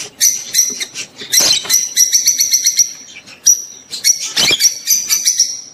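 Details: Mating chatter of rosy-faced and Fischer's lovebirds, meant to encourage the female to breed: dense, shrill, high-pitched chirping and squeaks in quick succession, with a few harsher rasping notes.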